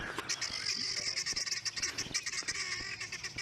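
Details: Guineafowl in a drainage line in Djuma Private Game Reserve, South Africa, on a morning, give harsh, rapid, grating alarm calls in a dense chorus, upset by nearby leopards.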